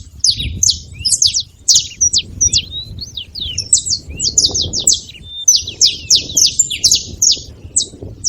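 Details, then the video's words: Excited jumble of high chips and short slurred whistles from a saffron finch, delivered in uneven clusters with brief gaps, low background rumble throughout. "Canário da terra fazendo barulho"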